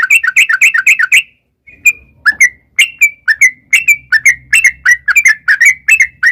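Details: Rapid sooty-headed bulbul song used to coax wild birds into replying. An opening burst of quick liquid notes, a short gap, then slurred two-part whistles repeated steadily, roughly two or three per second.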